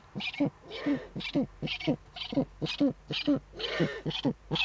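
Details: Eurasian eagle-owl at a webcam nest in the Eifel, Germany, evening of 23 February 2015, as the male brings a prey gift to the female; rapid series of short hoarse calls, roughly two per second, fairly regular.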